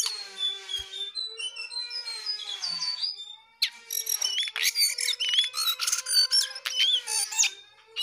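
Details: Jongkangan in full voice: soft repeated high notes give way, after a brief pause, to a loud burst of fast twittering, trills and sharp upslurred whistles.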